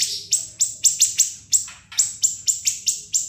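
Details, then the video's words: Siri-siri song used as training material for cage birds, sharp and shrill: a string of high, piercing chips repeated roughly every quarter second, each dropping sharply. "MASTERAN BURUNG SIRI-SIRI NGEBREN SUPER PEDAS TEMBAKAN TAJAM & SUPER PANJANG"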